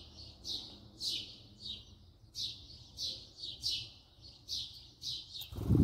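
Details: House sparrow filmed up close, uttering lively repeated chirps in pairs and singles at a steady pace, ending with a loud low bump.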